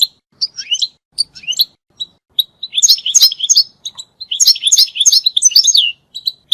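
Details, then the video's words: European goldfinch singing, a recording meant for mating and for training young goldfinches to sing. Scattered high chirps open the song, then it builds into dense bursts of tinkling, twittering notes. "مجموعة اصوات لطائر الحسون ل التزاوج و تعليم الحسون التغريد"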